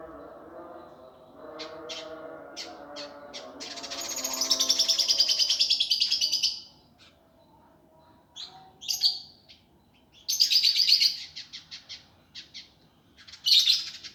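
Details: Indigo flycatcher training master in the harsh, fast gavor kasar style: a lower buzzy rattle, then a long shrill trilled phrase, then bursts of fast sharp chattering notes separated by pauses.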